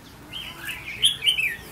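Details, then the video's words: Trainee decoy red-whiskered bulbul under test gives a soft, partly masked warble of a few bright, quick, slurred notes near the end of the moment. "Thử Thái Độ Chào Mào Mồi Tập Sự 2 ''MÍ LỬA''"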